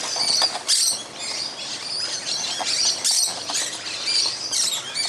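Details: Noisy group of musk lorikeets feeding on fruit in a tree one morning; continuous shrill, high-pitched screeches and chattering overlap throughout, with no pause.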